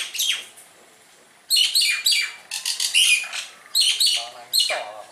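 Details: Javan myna, a net-caught bird singing actively, gives bursts of harsh, buzzy, descending notes: one call, a pause of about a second, then rapid grating phrases in quick series, some ending in lower nasal tones.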